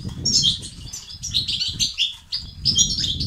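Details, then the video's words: Goldfinch song of the 'batbata' and 'sestesat' kind, used to encourage silent males to start singing. Bright, fast twitters and sharp chirps come in two bursts with a short gap between them, over low rumbling noise. "أقوى بتبتة وستستات للتحفيز الدكور الحسون وتساعده في زيادة النشاط وتحفيزهم على تغريد وعلاج صمت حسون"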